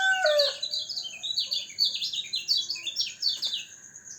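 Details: Kecial kuning, a white-eye, dewed in its cage to keep it healthy and vocal: a loud downslurred opening note, then a lively run of high, rapid, sharply falling chirps, a thin constant tone in the background.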